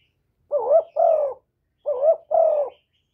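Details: Spotted dove, known locally as cu gáy or cu cườm, calling continuously to lure other doves; two-part coos, a rising note then a longer falling one, given twice about 1.3 seconds apart, recorded clean with no background noise.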